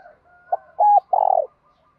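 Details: Spotted dove cooing in the morning in the 'thổ' voice style mixed with 'thúc gù', calling to lure wild doves. One phrase: two short soft coos, then a longer, loud, vibrating coo. The background is quiet.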